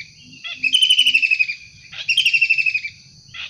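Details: Long-tailed shrike from the wild giving two coarse, buzzy rasps, each under a second and slightly falling, about 1.4 seconds apart, over a low murmur.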